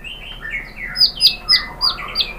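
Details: White-rumped shama (murai batu) lure song meant to provoke another bird into singing: a series of short whistled notes, some swooping down, spaced about every quarter second over a faint hiss.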